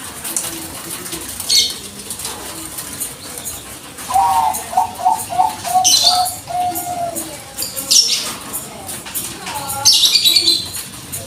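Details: Bangkok-type zebra dove cooing as a lure to provoke replies; a quick rippling burst of short cooing notes mid-clip, with sharp high chirps from other birds scattered before and after.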